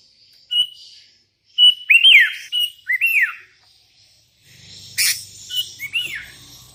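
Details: A vocal sooty-headed bulbul calling to rivals, with wild bulbuls answering; several arched whistled notes rising and dropping, grouped in short phrases, plus a sharp noisy burst and faint low rumble.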